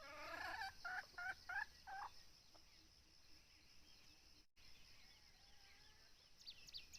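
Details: During a decoy hunt for wild junglefowl, a red junglefowl gives a short, choppy crow of four or five harsh bursts, followed by quieter scattered chirps and a soft hissing background.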